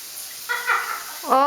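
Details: A 1-year-old pet Solomon Island eclectus parrot laughs instead of singing when asked: a brief, voice-like laughing burst, then a rising nasal note; a person speaks briefly at the end.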